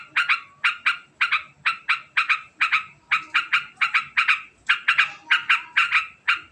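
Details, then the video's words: Rapid ngekek cackling of a sooty-headed bulbul, a long quick series intended to provoke answers: scratchy paired notes tumbling one after another at an even, fast pace with no pauses. "Suara Unik Burung Trucukan Ngekek Panjang Sangat Cepat Bikin Nyaut"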